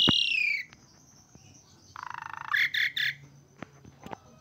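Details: Asian pied starling, a caged bird described as singing vigorously despite being sick or stressed: a long falling whistled note, then a low buzzy rattle and several bright chattering bursts, with quiet clicks after.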